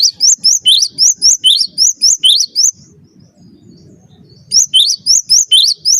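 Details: Cinereous tit singing, a master recording for teaching birds: long run of about thirteen bright, high rising whistles repeated steadily, a short quiet break with faint low noise, then another fast series.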